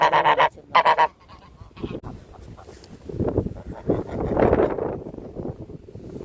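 A domestic goose gives two loud, nasal honks in quick succession, followed by softer muttering and low rustling noise.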